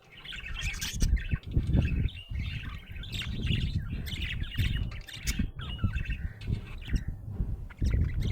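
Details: Happy budgerigar chattering: dense, scratchy warbles and chirps run on without pause, over loud low rumbling and thumping noise close to the bird.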